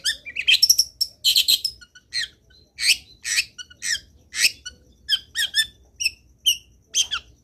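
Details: Long-tailed shrike giving an energetic, filler-rich song meant to prompt other shrikes to sing: harsh squeaky bursts and buzzy chatters at first, then evenly spaced short chirps and whistled notes.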